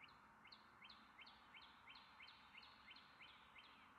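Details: Carolina wren singing a steady run of rolling two-part phrases, each dropping then rising, repeated about three times a second for four seconds against a constant background hiss.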